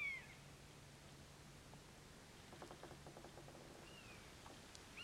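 A common buzzard gives thin, high, downslurred mewing cries, one at the start and two more near the end, over a low hum and scattered clicks.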